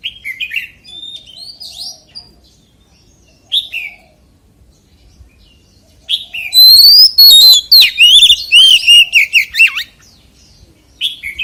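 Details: Oriental magpie-robin sings forest-voice style: scattered soft whistles, then a dense loud run of fast whistled and chattering notes lasting about four seconds.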